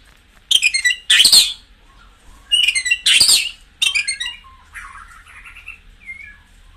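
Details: Singing white-rumped shama, a recording used to excite caged birds into peak condition: four quick bursts of high chirps mixed with harsh rasping notes, then softer scattered twitters trailing off.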